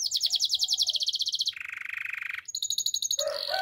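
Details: Singing canary in training song, delivering fast even trills that step down in pitch, then a thin high roll, ending with a mixed burst of notes.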